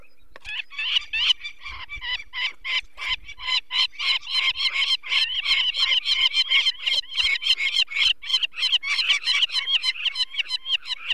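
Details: Peregrine falcon raising alarm at the nest, Barycz Valley, Poland, 2 May 2023, while people remove one of four chicks because of eye problems. Long, relentless series of harsh scolding cackles that builds and stays rapid for over ten seconds.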